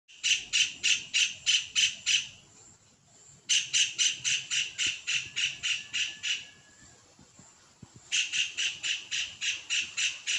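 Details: A kingfisher gives its breeding song: shrill, piercing high notes, about three to four a second, in three bursts separated by short pauses. Nothing else stands out.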